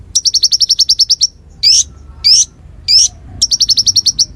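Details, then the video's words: Konin song used to tutor songbirds: a run of about twelve quick, high chips, then three rising, slurred whistles, then another fast chip series. "Masteran Konin Gqcor Nembak Full isian Buat Isian Buring kicau"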